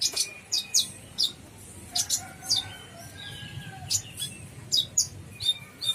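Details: A Brown-throated sunbird sings a gacor full isian song: crisp, high, slightly downslurred chirps spaced about half a second apart, with occasional fainter thin whistles between them.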